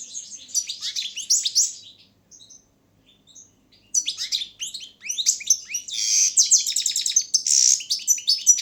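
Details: Balkan goldfinch entered in a world goldfinch song championship held over the internet: a twittering phrase, a nearly silent two-second gap, then a long energetic outburst of chirps, buzzes and rattling trills.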